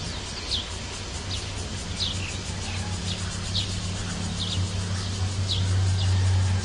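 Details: Sunbird in the wild giving short, sharp, downward-sliding high chirps about twice a second, evenly spaced, with a steady low hum or faint music underneath that grows slightly louder.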